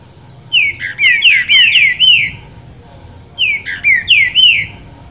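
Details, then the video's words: Singing in captivity and answering another bird, a green-winged saltator gives two loud phrases of fast, slurred whistles that swoop up and down, the first longer than the second, with little background noise. "Trinca Ferro Cantando"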